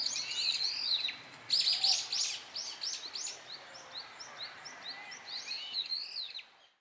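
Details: Brown-eared bulbuls feeding on nectar in a blossoming cherry tree in Japan, calling loudly: a rapid series of high, sharp chirps and squeaky slurred notes, several birds overlapping, with a brief louder burst near the start.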